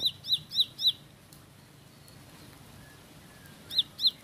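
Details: Ciblek, the bar-winged prinia, called ciblek sawah or ciblek pari, giving four quick, piercing down-slurred chips, a pause of nearly three seconds with only faint hiss, then two more notes.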